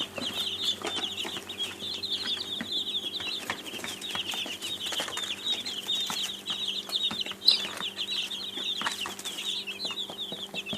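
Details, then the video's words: Flock of young chicks peeping steadily, a continuous wash of high cheeps with faint tapping and a soft hum behind. "Baby Chicks sound effects"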